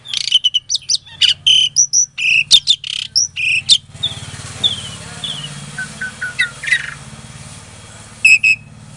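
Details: Captive-bred Asian pied starling in Klaten, Indonesia, singing a lure song to provoke silent starlings: about four seconds of loud rapid chirps and whistles, then faint descending whistled notes over a steady low hum, closing with a brief loud burst.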